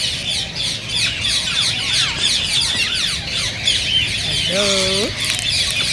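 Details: Green ring-necked parakeets in a noisy chorus meant to spur singing and mating: steady high twittering and squeaks, with a lower wavering harmonic squawk near the end.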